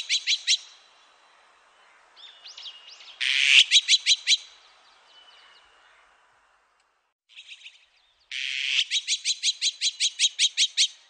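Azure-winged magpie giving harsh, rasping rattles in fast bursts of several notes, with a few thinner whistled notes between bursts.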